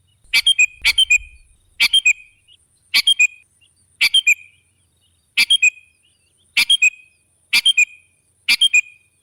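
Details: Lure song of a sooty-headed bulbul, meant to attract other birds. Nine crisp, rapid triple-note phrases repeat about once a second, each a tight burst of bright chirps, with a brief low rumble at the start.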